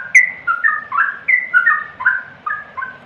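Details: Short burst of yellow-vented bulbul song with bright whistled phrases. Each one slides downward, and they come in quick, slightly irregular succession.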